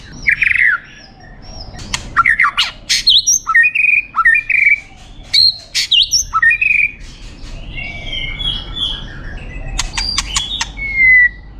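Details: Champion competition white-rumped shama with a varied song of harsh squawky notes, slurred whistles and sharp clicks in quick phrases, finishing with a long, clear, falling whistle.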